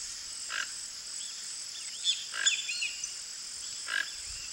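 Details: Toco toucan (Ramphastos toco), free wild bird at its nest in breeding season in Brazil, gives four brief, rough croaks spaced unevenly over a few seconds, over a steady high insect drone and faint chirps from other birds.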